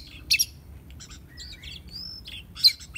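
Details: Oriental magpie-robin, a young bird being tamed, giving a quick burst of sharp notes, then soft twitters and a long, level whistle.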